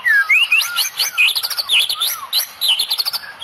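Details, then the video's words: Tembakan song of a Medan white-rumped shama, rich in cililin phrases: loud clear upslurred whistles mixed with fast high chips and trills, delivered in tight energetic bursts. "Tembakan murai medan full cililin bikin drop musuh"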